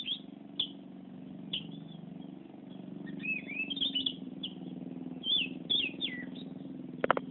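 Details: Lively ngerol song of an Oriental magpie-robin: scattered whistled notes, then a rapid cluster of rising and falling twittering phrases, over a prominent steady low hum, ending with a couple of sharp clicks.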